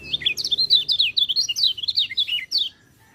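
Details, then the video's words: White-eye singing, as training material for reluctant singers: a lively, unbroken chain of high, slurred twitters, rising and falling notes packed tightly for about two and a half seconds, then stopping abruptly. "MASTERAN BURUNG PELECI, cocok untuk burung peleci malas bunyi"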